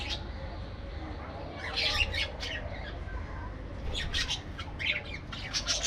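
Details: Aviary parakeets calling intermittently: quiet stretches broken by short rasping squawks around the second and fourth seconds and sharp chirps near the end, with faint low background noise.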